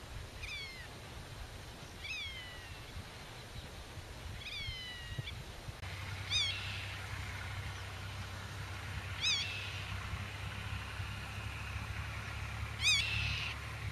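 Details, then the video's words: Nest-defending black-tailed godwit calling to chicks concealed in grass and warding off intruders: three down-slurred nasal notes at first, then louder sharp chevron-shaped cries about every three seconds, with a steady low hum underneath. "Rycyk w obronie gniazda - Limosa limosa"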